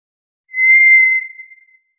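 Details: A single drawn-out, pure, even-pitched whistle from a White's thrush, held for about a second before fading away, with nothing else audible.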